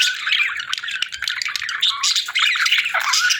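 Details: Pet budgies in a cheerful chorus of chirps: continuous scratchy warbling chatter mixed with sharp clicks and short squawks, several birds overlapping with barely a pause.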